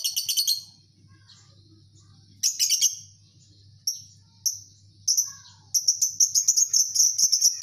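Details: A lovebird colony in Indonesia: scattered bursts of high, sharp chirps and twittering, building into a faster run of rapid shrill notes toward the end, over a faint low hum.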